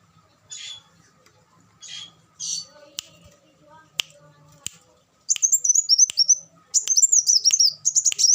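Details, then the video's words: Scattered soft chirps and faint clicks give way to an olive-backed sunbird's sustained, rapid, high twittering song during the second half. "suara burung kolibri wulung"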